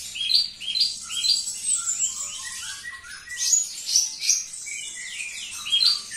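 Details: Javan bush lark singing indoors, a continuous high, rapid stream of thin chirps, trills and short slurred whistles, with varied notes tumbling over one another without pause.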